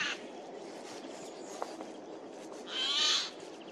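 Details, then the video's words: Loud forest call of a Eurasian jay, recorded 15 April 2024 while the bird moved between trees: one coarse, hoarse screech near the end, after a quiet stretch with faint clicks. "Голос сойки"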